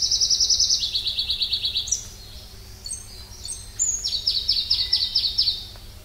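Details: Song of a Pallas's leaf warbler: a high rattling trill that steps down in pitch, a thin upslurred whistle, then another rapid series of bright, ringing notes.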